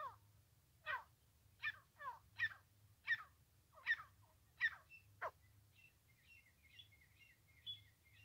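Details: Francolin call used for trapping: a series of short, downward-sliding squeaky notes repeated roughly every three-quarters of a second, then softer, higher chattering notes.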